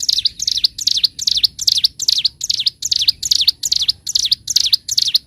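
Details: Bar-winged prinia (ciblek gunung) in an Indonesian training recording, singing in the gacor, ngebren style: rapid repeated sharp high notes, each a quick downward-then-upward flick, about two or three a second, steady and loud.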